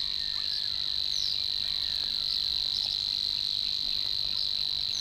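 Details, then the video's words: Savi's Warbler singing in the reed beds of Matsalu: an unbroken, dry, buzzing reel on one steady high pitch, held through the whole stretch, with faint short chirps from other birds behind it. "Savi's Warbler"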